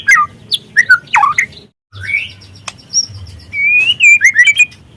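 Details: White-rumped shama, speckled juvenile (trotol), in a lure recording to make birds sing: abrupt twisting whistles and chips, a brief silence, a rising slur, then a long wavering whistle breaking into quick notes.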